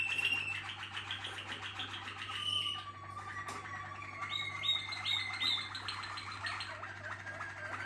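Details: Contest-team Waterslager canary in song: varied watery trills, a low sustained rolling tour and brief higher whistled phrases follow one another; faint constant hum beneath.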